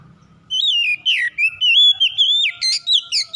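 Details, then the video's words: Oriental magpie-robin (kacer) song used to coax a lazy bird into singing: loud, rich whistles that wobble and glide, linked into a continuous phrase of varied notes, some trilled, closing with rapid chirpy flourishes. "PANCINGAN SANGAT AMPUH MEMULIHKAN KACER MALAS BUNYI CEPAT GACOR"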